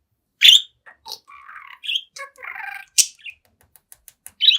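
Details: Young talkative budgerigar before a mirror: a loud harsh squawk, then soft warbling and buzzy chirps, another sharp rasp, faint ticking clicks and a final loud scratchy call.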